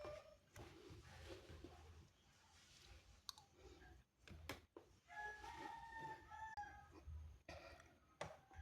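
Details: Rooster crowing on a cool morning, heard through frequent clicks and knocks; a clear harmonic crow rises in the second half and holds for over a second amid background noise.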